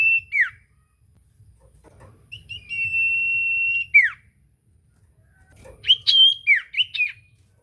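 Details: An actively singing common iora, played as a lure to prompt a quiet iora to answer, gives a sustained steady whistle that drops sharply at the end, followed by a burst of quick wavering chirped notes.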